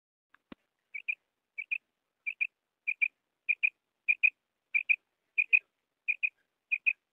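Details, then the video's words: Common quail giving a steady series of high, sharp double notes, each pair repeated roughly every two-thirds of a second, about a dozen in a row, against silence after one soft click at the start. "Bater ki awaz"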